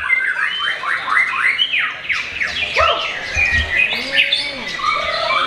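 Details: Young Oriental magpie-robin, not yet a contest champion, singing while waiting to break the Ramadan fast: a rapid run of short rising and falling whistles, then lower squawky slurred notes.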